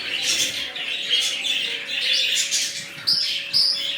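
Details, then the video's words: Budgerigars of a new colony chatter steadily in busy, high warbling chirps, with two sudden louder squawks near the end over a faint steady hum. "Budgies Parrots New colony"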